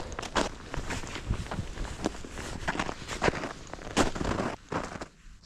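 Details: Sharp clicks and thuds like footsteps and handling noise over a low rumble, with no animal heard.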